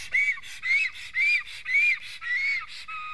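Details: At an Estonian black stork nest during a strange stork's visit, rising-falling whistled notes repeat roughly every half second. The last note is a flatter, lower whistle.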